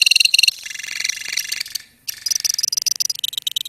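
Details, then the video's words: Lovebirds in a colony give rhythmic, pulsing high chirps, then a softer buzzy passage that fades almost to silence before loud rapid chirping starts again, the sound used to trigger long 'ngekek' trills. "KICAU LOVEBIRD KOLONI INI TERBUKTI HANYA BUTUH WAKTU 4 MENIT SAJA LANGSUNG NGEKEK"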